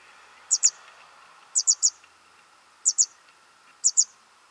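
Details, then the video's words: Nestlings at feeding time give very high, sharp chirps in quick pairs or triplets, each cluster separated by about a second of quiet. "Fütterung von Jungvögeln"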